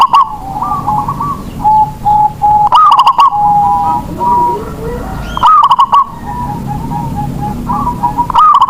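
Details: Local Indonesian zebra dove whose cooing sets other doves singing, kept as a lure for lazy singers: rapid staccato coo bursts recur about every three seconds, each followed by softer, wavering rolled coos, with faint background chatter.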